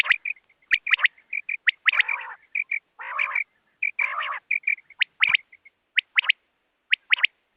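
A quail gives quick, sharp, high chirping notes in uneven bursts, roughly one a second, broken by a few harsh, rasping churrs.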